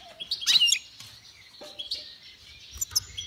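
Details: Goldfinch and goldfinch × canary hybrid (mule) singing: quick bright chirps and twittering high notes, with a dense burst of trills near the start and scattered short tweets after, over light low-pitched background noise.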